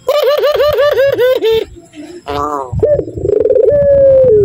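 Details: Puter dove of level 7 kiw kiw cukurukuk quality gives a quick run of about seven arched kiw notes, then after a pause a rolled coo ending in a long, gently falling tone.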